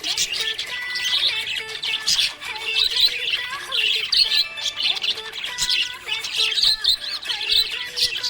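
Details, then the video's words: A happy budgie keeps up continuous warbling chirps, harsh little squawks and quick twitters in uneven bursts, while soft music plays beneath the bird. "Happy budgie chirping sound"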